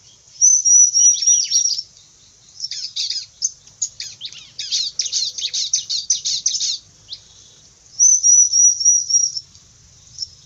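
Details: Bar-winged prinia billed as fierce, alternating a high thin pulsed trill with long runs of rapid, scratchy chip notes, then returning to the thin trill near the end; no other sounds stand out.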